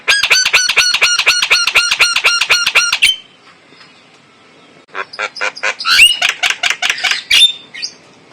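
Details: Male white-eyed Javan myna lure song with a clear voice: a rapid run of about fourteen harsh, ringing notes over three seconds, a short pause, then varied rasping notes and a high whistled note.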